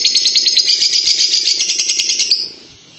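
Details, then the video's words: Lovebird giving a long ngekek song indoors: a fast, dense, high rattling trill of rapid pulses, about four per second in clusters, held steadily for over two seconds before stopping abruptly. "Love bird ngekek panjang"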